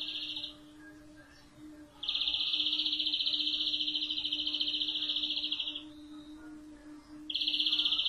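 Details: European greenfinch song: long, even buzzing trills of very fast repeated notes, one lasting nearly four seconds, broken by short pauses, over a steady low electrical hum.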